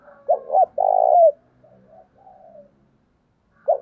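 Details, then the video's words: Spotted dove used as a decoy to attract wild doves, delivering a phrase of two brief notes followed by a longer, level coo that drops at its end, then low soft notes and a fresh start. "Chim Cu Mồi Như con này anh em nào cũng muốn sở hữu, bổi rừng nghe ức chế mà về cội"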